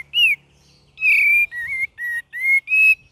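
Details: Cream-vented bulbul in a varied gacor and ngeriwik song: a string of clear, slightly rising and falling whistled notes, six phrases in about three seconds, with a quiet background.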